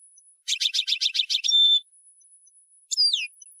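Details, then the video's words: Tunisian goldfinch in an old-style song, the local style called Sahnoun of Sfax: a quick run of buzzy twittering notes, a short pure whistle, then after a pause a sharp descending slurred note. "Ancien Chant d'un Chardonneret Tunisien"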